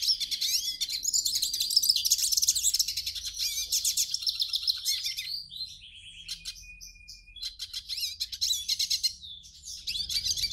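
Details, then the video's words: Hooded siskin song played to warm up a captive bird and start it singing: a long, fast, twittering run of high buzzy trills and chirps, about four notes a second, with brief pauses and a thin sustained whistle near the middle. "CANTO do PINTASSILGO para ESQUENTAR"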